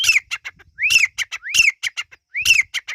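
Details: Teetar partridge chick sounds: loud scratchy phrases, each starting with an upward-sweeping whistle and falling into a grating note, followed by staccato clicks, about four phrases in three seconds.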